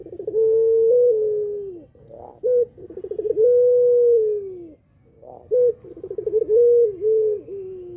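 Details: Puter pelung dove calling to provoke other doves into calling: long, deep, drawn-out coos near one pitch, each ending in a falling tail, with shorter stuttering coo notes between, repeated about every three seconds.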